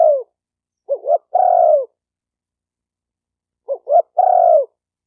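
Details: Spotted dove cooing: a falling note ends one phrase, then a pair of short wavering hoots and a long, even coo that drops at the end, repeated once more.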